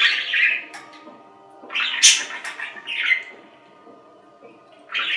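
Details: Budgerigar producing short, separated bursts of raspy squawks and chirps, with long quiet gaps between them and a faint steady hum underneath.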